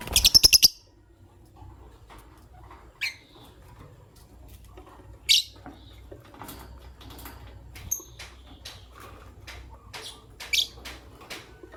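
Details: Green Personata and albino lovebirds in the morning: a rapid burst of about six piercing high chirps opens, followed by scattered single squeaky notes, clicks and cage rattling.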